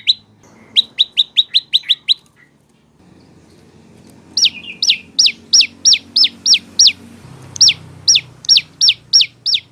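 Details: Prinia, or prenjak lumut or lancur, song for training cage birds: a rapid run of thin chirps, a pause with low murmur, then a longer series of loud, downward-sweeping notes about three a second.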